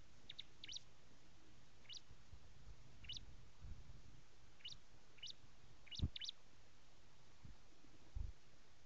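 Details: High, thin chirps from a prinia, spaced irregularly one or two at a time, with a couple of soft low thumps in the background.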